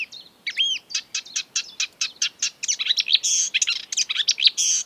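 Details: Marsh warbler, a mimic of European and African birds, in an exuberant run of varied high chirps, trills and buzzy notes that grow denser and louder toward the end.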